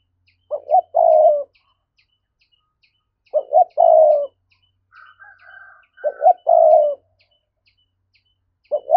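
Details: Spotted dove thúc-style coo used as a trapping lure for wild doves: three-part phrases of two quick rising notes and a long falling coo, repeated about every three seconds, with a fainter higher tone between phrases.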